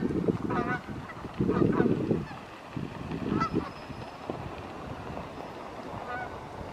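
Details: Canada geese passing in the evening, summer or fall 2020; a few brief honks in the first seconds, then quieter distant calls over low background noise.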